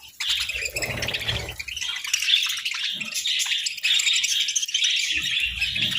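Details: Budgerigars basking in the sun keep up steady, high, buzzy warbling and chirping chatter, with occasional low thumps and rustling.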